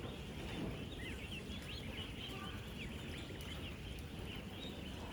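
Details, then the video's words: Farm-raised ducklings, 16,000 of them at ten days old, moving about and feeding: many overlapping high, slurred peeps forming a busy chorus above steady low-frequency rumble. "16,000 Ducklings Making AMAZING Sounds!"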